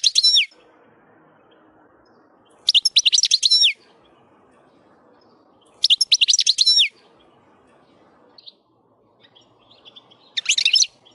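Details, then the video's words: A wild European goldfinch gives short bursts of bright, twittering song, each about a second long, separated by pauses of roughly two seconds, over a soft low background hiss. "le chant du chardonneret sauvage ,il canto del cardellino selvatico ,تغريدة خلوية طائر الحسون البري"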